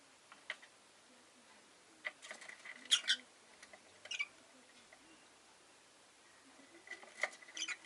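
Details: Rosy-faced lovebird chirping: a quick pair of high, harsh chirps, then a single shorter chirp a second later and more scattered chirps near the end, over faint background hiss and light tapping.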